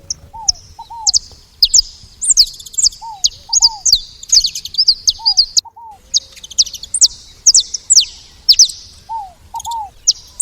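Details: Saffron finch making noise at a feeder: rapid, sharp high chirps and short downslurred tweets in irregular bursts, with a lower paired, curved whistle repeating every couple of seconds underneath.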